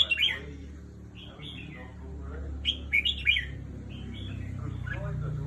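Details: Evening song of a caged competition red-whiskered bulbul: clipped, bright whistled notes in small clusters, loudest in a quick run of three phrases midway, over a steady low rumbling background.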